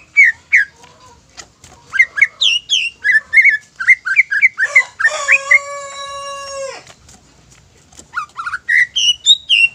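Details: Song of a greater green leafbird, played as a lure to stir other leafbirds to sing. Varied whistles and chips come rapidly, with a long, buzzy, harmonic held tone midway, then further bright, rising whistles.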